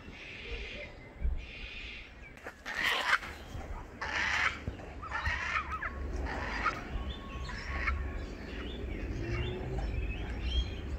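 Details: Several Yellow-tailed Black Cockatoos flying directly overhead in the Sydney area give a string of drawn-out, wailing, harsh calls that overlap, over a low wind rumble.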